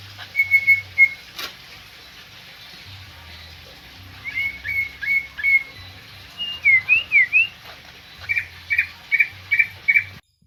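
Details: Greater green leafbird in full active song: bright whistled notes in quick series, a twisting rising-and-falling phrase, then evenly spaced sharp whistles repeated about twice a second before stopping.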